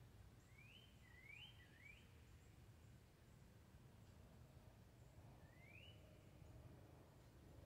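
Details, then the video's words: Cardinal gives clear upslurred whistles, three in quick succession and then a single one after a pause, over a steady low background rumble. "Calm Chirping of Cardinal Birds"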